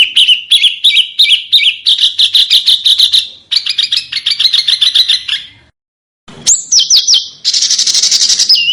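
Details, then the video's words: Master song for cage-bird training from a small bird: long rolling series of rapid looped chirps several per second, a brief silence, then high sharp slurred whistles and a fast scratchy trill. "Suara BURUNG KECIL !!! MASTERAN BURUNG KECIL TEMBAKAN TAJAM DAN SUPER PEDAS"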